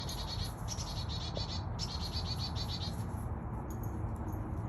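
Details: Chickadee giving a very small but annoying call: rapid bursts of harsh, stacked high notes, paused briefly then repeated, over a steady low rumble.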